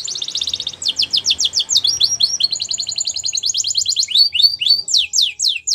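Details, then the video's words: Canary melodies in the wild: a fast trill opens, followed by chains of quick repeated chirps and sliding whistled notes without a break. "Melodies Canary In The Wild"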